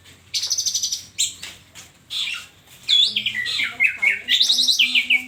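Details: Orange-headed thrush in full song: rapid repeated high notes, then varied loud whistles sweeping up and down in quick succession with buzzy trills, over faint low background hum.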